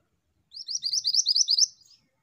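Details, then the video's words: Female pied bushchat singing actively: a fast run of short, bright, high chirped notes, about a dozen quick rising-falling syllables packed into just over one second, with no other sounds. "MANTENAN BETINA GACOR !"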